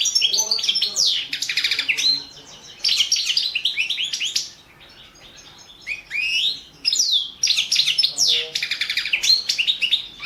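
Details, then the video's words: Balcanica goldfinch recorded for an internet world championship in goldfinch song, 2017: rapid twittering phrases of bright trills and rising slurred notes, broken by a pause of about two seconds midway. "Pesma štiglića 014/ 2017 Stefan Sapunarov World championship in Goldfinch Song 2017"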